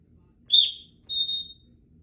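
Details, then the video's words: Practising her sounds at home, a three-year-old female Congo African grey parrot gives two high, thin whistles. The first is short and sharp, and the second is held steadily a moment longer, with faint low room noise beneath. "African Grey Talking Parrot while she practices her words and sounds"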